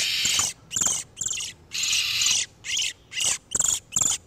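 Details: Oriental magpie-robin (kacer), male and female in breeding condition, used as a lure for catching wild birds: loud, rich, high-pitched song bursts of about half a second. About eight phrases in four seconds, separated by short gaps.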